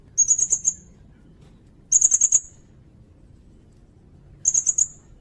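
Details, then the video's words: Sirindet song meant for tutoring cage birds and for luring: three short, very high, rattling trills, each about half a second long and spaced roughly two seconds apart, over a faint low hum. "Suara burung sirindet"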